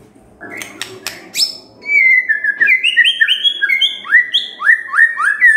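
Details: Morning lure song of a white-rumped shama, meant to provoke silent birds into singing: a few sharp clicks open, then a run of bright whistled notes, many slurring downward, repeated almost twice a second.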